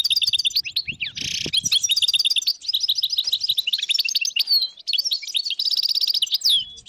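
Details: Dozens of wild European goldfinches in northern Morocco, 2022, in a nearly unbroken chorus of twittering, tinkling song with a harsh buzzy note near the start.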